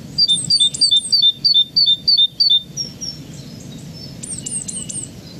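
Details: Great tit giving its very high-pitched two-note call in a rapid run, about three per second, then a fainter burst of similar high notes.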